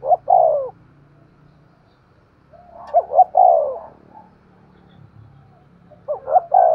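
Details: Decoy spotted dove with a sharp voice in 'thúc gù' calling: three phrases, each two short rising notes then a longer downward coo, roughly three seconds apart, with a low hum underneath.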